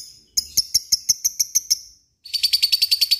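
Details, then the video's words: Lovebird, a fighter bird, in its long trilling ngekek song: a run of evenly spaced sharp high chirps, a short pause, then a faster second run of chirps. "Ngekek panjang LOVEBIRD"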